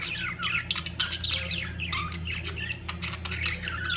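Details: Budgerigars at the peak of mating produce rapid, twisting warbled chirps and short squawks in a busy run, with a constant low hum behind them.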